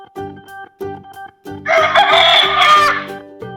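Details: Rooster crowing once, a loud harsh drawn-out call lasting over a second, set against a bouncy children's music backing.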